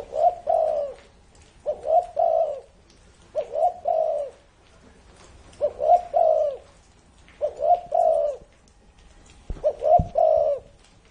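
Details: Spotted dove aged over 30 years repeating its cooing song six times, roughly every 1.7 seconds, each phrase a brief stuttered start running into a longer low, warm coo; faint clicks between.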